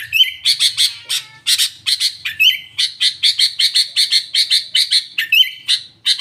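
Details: A sooty-headed bulbul sings a rapid run of bright, chattering chirps, about two or three a second, mixed with a few short whistled slurs, in a song with trocok-style fill notes.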